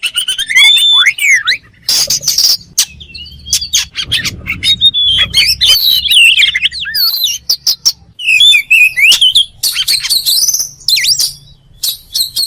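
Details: Long oriental magpie-robin song made of fast whistled trills, rising and falling slurs and harsh buzzy bursts, broken by short pauses, with a soft low rumble in the background.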